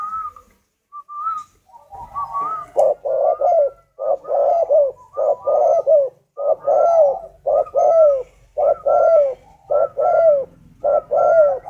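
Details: Male-style spotted dove call described as a northern Vietnamese 'thunder voice' (giọng sấm miền bắc) in a kept bird: low hollow coos in regular phrases, roughly one per second, after a few soft higher notes at the start.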